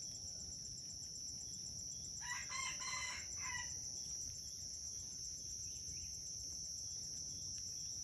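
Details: Aceh red junglefowl in a crowing contest on Bukit Sibreh: a single harsh, broken crow of several quick pulses lasting about a second and a half, set against steady shrill insect buzzing.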